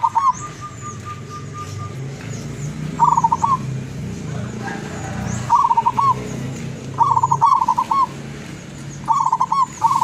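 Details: Wild-origin zebra dove from Tuban, East Java, kept as a decoy and singing with a long, sweet voice: a steady whistle-like tone at first, then several bursts of quick trilling coos over low rumbling noise.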